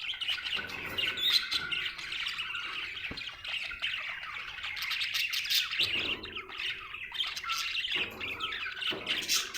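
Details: Happy budgie warbling in a long, continuous run of bright tweets, rasps and trills, with a few louder harsh notes standing out from the chatter.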